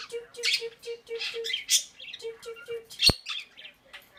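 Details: Pet Quaker parrot chattering indoors, mixing rapid rasping squawks with a run of soft repeated low pips and a single loud click partway through.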